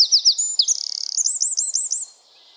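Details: Forest wren chirping: sharp high slurred notes, a fast buzzy rattle, then a rapid rolling trill of looped whistles before the song stops abruptly.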